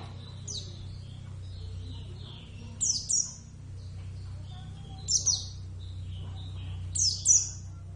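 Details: Captive Oriental white-eye, Javan subspecies Zosterops palpebrosus javanus, a pet bird singing actively: four short bursts of very high, thin, descending chirps, often paired, spaced about two seconds apart over a steady low hum.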